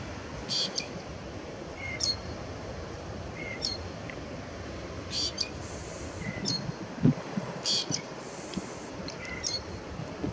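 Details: A Lesser grey shrike at Salinas del Carmen, Fuerteventura, in 2018 sings short, sharp, high chirps about every one to two seconds, with a few lower squeaky notes, over steady wind rumble.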